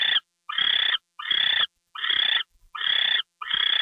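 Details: Six grating, breathy owl screeches at a fairly even pace during a gopher delivery late on the night of February 2, 2013.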